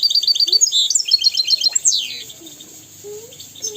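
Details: European goldfinch song used to teach young goldfinches and canaries to sing: rapid, high, tinkling twitter of short bright notes, with a few sweeping downslurred notes near two seconds, then fainter low squeaky tones.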